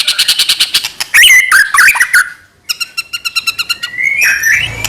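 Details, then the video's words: White-rumped shama singing nonstop as a lure to agitate other shamas; rapid repeated chips, a loud warbled twisting phrase, a brief pause, then a fast even series of pulsed notes and a rising whistle. "murai batu gacor AMPUH buat PANCINGAN murai batu agar bunyi JADIKAN burung murai gacor EMOSI"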